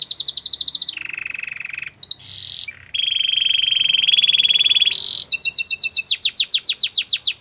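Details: Belgian canary singing as warm-up before females, training: a bright trill, a low buzzy roll, short varied notes, a long rolling trill, then rapid descending whistled notes.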